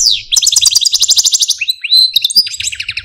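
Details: Caged male Algerian Parva goldfinch, a pet, singing: a fast descending whistle opens into long rapid trilled rattles, then a rising slurred note and more high buzzy trills.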